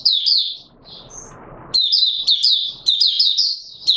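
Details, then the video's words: Opening song of a caged Oriental white-eye (Mata Puteh Raja), 24 March 2022: high twittering, then about a second of low rustling with one thin note, then fast chirp phrases again. "Mata Puteh Raja Video 1 buka sing"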